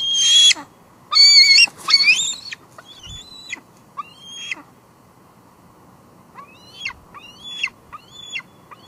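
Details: At a Two Harbors nest on 16 July 2022, a juvenile female bald eagle expects food from her father, who brings fluff instead. She gives loud, rough, high squeals first, then thinner, fainter piping notes repeated roughly once a second.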